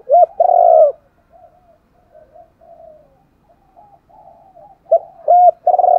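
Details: Spotted dove calling as a lure for wild doves: a phrase of short hoot and long quavering coo opens, soft low coos follow, and a new phrase begins at the end.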